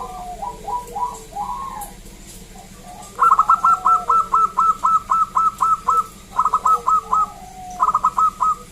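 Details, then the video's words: Zebra dove, local bird, singing to prompt other zebra doves. Soft slurred coos open, then a long even run of bright clipped notes, broken into shorter groups near the end. "Perkutut lokal Gacor SUARA ASLI KRISTAL MERDU Ampuh Mengundang Bunyi Semua Perkutut Lokal"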